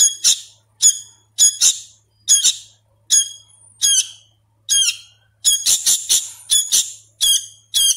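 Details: Young hand-fed sooty-headed bulbul, still learning to sound, repeating high, harsh squawks in singles and quick pairs, more than once a second, growing busier toward the end.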